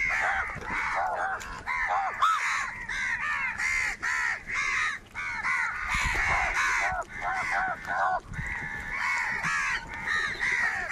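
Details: A massive crow flock fighting over food keeps up a steady, scratchy cawing. Call follows call almost without pause for the whole stretch.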